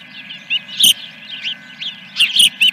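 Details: Osprey at a nest at Dunrovin Ranch on 3 May 2021, morning, around a fish delivery: scattered sharp, high chirps, some in quick pairs, over a steady electrical hum.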